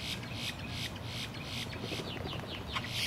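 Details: Two male boat-tailed grackles stare skyward and call to attract females, puffing up and flapping their wings: harsh, raspy bursts several times a second mixed with quick descending squeaky notes, over a steady low background rumble.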